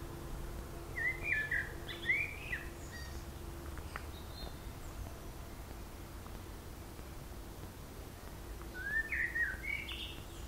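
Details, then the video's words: Single songbird on a long singing bout at Zmajčkova pot, Slovenske Konjice, Slovenia; two short whistled, warbling phrases several seconds apart over a constant low hum. "ptice pojejo / birds singing"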